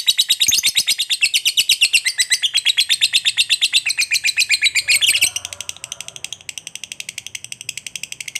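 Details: Ngekek panjang from a lovebird fighter, used to rouse other lovebirds to reply: rapid, loud, shrill chattering notes pour out for about five seconds, then continue softer and thinner in the same quick rhythm.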